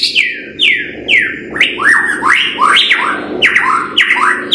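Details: White-rumped shama lure song: a rapid series of loud, downward-sweeping whistles mixed with upward slurs, repeated several times a second over a noisy background hiss.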